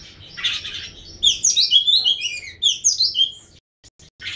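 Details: Oriental magpie-robin in full song: a brief harsh chattering burst, then a quick run of sweet, sliding whistles and trills that fall and rise in pitch, ending in near silence and a last scratchy note.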